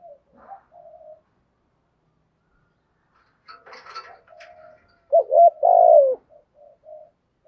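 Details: Spotted dove calling coo in the Thổ voice, for rousing decoy birds. Soft short murmured notes and faint rustling lead into one loud phrase: a rising double note and then a long falling coo.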